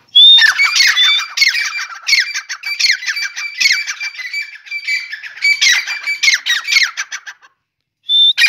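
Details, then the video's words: Grey francolin (teetar) calling in the morning: loud, harsh, shrill bursts with ringing high tones, repeated in rapid phrases about twice a second, pausing briefly near the end before starting again. "Beautyfull teetar Morning Walk"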